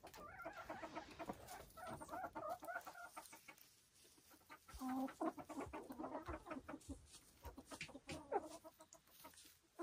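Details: Silkie chickens on a Vermont hill farm, several birds giving continuous low murmuring clucks and drawn-out harmonic calls, with overlapping voices and rustling throughout.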